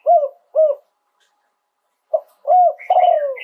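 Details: Spotted dove from Thailand crowing live in the song style called โยน 2 กุก: two short mellow coos, a second of silence, then a burst of further coos, the last one longer and overlaid by higher, buzzier tones.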